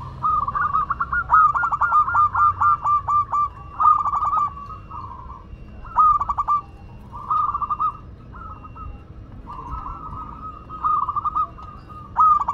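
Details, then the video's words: Local Madura zebra dove in full song: soft, mellow cooing phrases of quick stuttering notes that end in a drawn-out coo, repeated with short pauses throughout, while a faint low rumble runs beneath. "Perkutut Lokal Madura Gacor"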